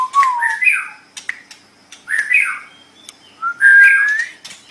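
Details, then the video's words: White-rumped shama song used to train singing cage birds: whistled phrases sliding between low and high notes, separated by sharp clicks, with short pauses between bursts. "Suara Burung Murai Batu"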